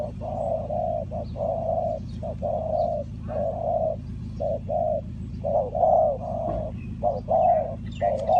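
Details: Spotted dove used to lure wild doves for trapping, Ninh Thuận: low hollow coos in rapid short-and-long phrases, repeated almost without pause, over a steady low rumble of background noise.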